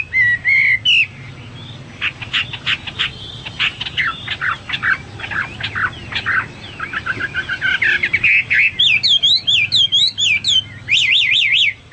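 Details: Hwamei singing hard: an opening whistled phrase, then a long stretch of rapid, harsh chattering and scratchy notes, closing with loud, looping wavering whistles repeated in quick succession.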